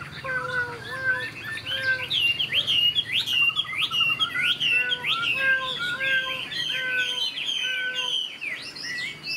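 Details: Chinese hwamei, young of this year and said to sing well, mixes loud swooping high whistles with a repeated short low note and brief buzzy trills, building into a rich, lively, continuous song.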